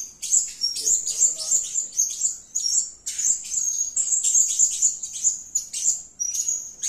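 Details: Blue-crowned hanging parrot calling: bursts of shrill, very high, sibilant twitters with sharp accented chips, in roughly one-second phrases separated by short gaps, plus a faint lower warbling sound near the start.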